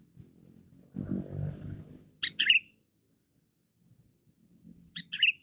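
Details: A loud, talkative sooty-headed bulbul on a luring recording gives two quick, bright, slurred whistled phrases about three seconds apart, preceded by a low rumbling noise.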